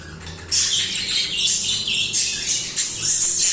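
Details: Budgerigar song after a brief quiet start, a continuous gritty warble of high chirps and squeaks in rolling pulses.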